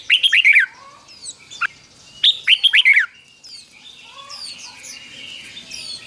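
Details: Two fast warbled phrases from a caged Red-whiskered bulbul in the doubled 'beun' fik-jik-fok style, played to teach young birds. Each is a tumbling run of rising and falling whistles about two seconds apart, with thin high chirps of other birds afterward.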